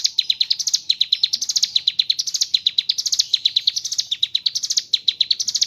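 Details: Mountain leaf warbler in lively ngebren song with kapas tembak phrases: fast, high-pitched ticking notes grouped into short phrases that rise and restart roughly every half second.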